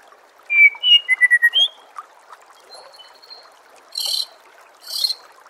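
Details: White-rumped shama training song for contest birds: bright whistled phrases and a quick stuttering series of notes, followed by a thin sustained high whistle and two hissy high bursts, with running water behind.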